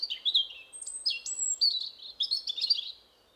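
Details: Close, clear European robin song in spring forest, a territorial phrase: a musical, elaborate flow of crystalline whistles, slurs and rapid trills, very high and varied, ending in silence.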